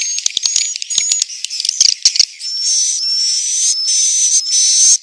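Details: Swiftlet roosting sound from Central Sulawesi: dense high twittering chirps and clicks in the first half, then longer buzzy, hissing notes with a thin steady whistle running through them.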